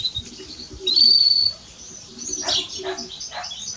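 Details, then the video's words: House sparrow chirping: a thin high whistled note held for about half a second, followed by a quick series of sharp, bright chirps sweeping downward, with quieter bird twitters in the background. "Sparrow chirping - عصفور الدوري"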